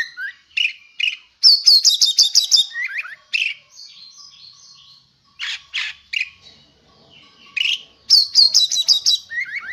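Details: Contest-ready oriental magpie-robin (kacer), persistently singing and trained with master songs: varied whistled phrases, buzzy rattling trills high up, and short downslurred notes, all delivered in quick bursts separated by brief pauses.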